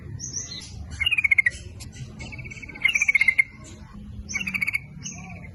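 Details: Sooty-headed bulbul lure song to attract males and females, 'nguplik ropel' style: three chattering runs of quick notes that slide slightly downward, spaced about one and a half seconds apart, with faint higher whistles.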